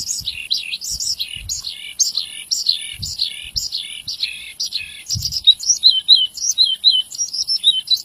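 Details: Lively Javan bush lark song used to tutor young birds. Varied high chirps and trills tumble out continuously, turning into quick repeated down-curled whistles in the second half. Faint low knocks underneath.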